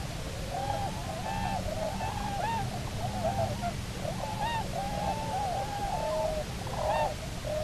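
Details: A returned Bermuda petrel (cahow) pair on Nonsuch Island, 29 October 2018, give eerie, overlapping moaning and squealing calls that rise and fall in quick succession over a steady low rumble of wind or surf.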